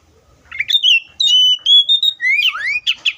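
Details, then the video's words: Oriental magpie-robin singing a brief phrase of sweet level whistles followed by steep rising slurs and a final trill, loud and close. "THE BIRD COPSYCHUS SAUCARIS VOICES MUCH LONG LIKE IN NATURE!"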